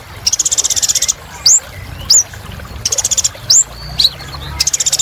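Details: Kolibri ninja sunbird in full song, meant as therapy for birds that have stopped singing: short bursts of rapid high-pitched pulses alternate with sharp, rising upswept whistles, repeating over five seconds.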